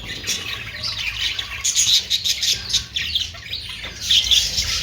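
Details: High-pitched budgerigar twittering, broken into uneven bursts of squeaky chirps and brief whistles, with short lulls between louder flurries and a low hum underneath.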